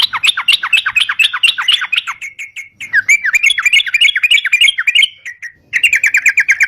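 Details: Sooty-headed bulbul (crucukan), an energetic bird recording meant as a lure for catching birds: rapid series of sharp downslurred chirps that give way to quicker warbled notes, a brief pause, then another fast run of repeated notes.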